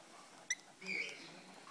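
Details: Rosy-faced lovebird chick, about 25 days old, being hand-fed indoors: a sharp high click followed by a short, rasping squeaky begging note, over faint background noise.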